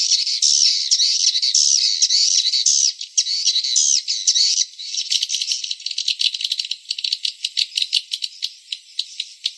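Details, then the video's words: Swiftlet calls, an original recording called Blue Wave 01 for swiftlet buildings: dense, high-pitched twittering chirps run together in a rapid rattling stream. Later the chirps turn clipped and more spaced, repeating about twice per second. "SUARA WALET. BLUE WAVE 01. ORIGINAL BAN."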